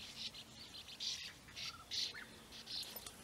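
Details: European bee-eaters near their burrows on the flat plain of Puszta Eldorado give quick, rolling, buzzy calls, about one a second, along with a faint lower whistle from another bird.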